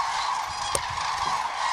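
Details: Cranes gather at sunset at Agamon Hula, a dense chorus of many overlapping rolling, trumpeting calls merging into a steady mid-pitched din, with one brief sharp click.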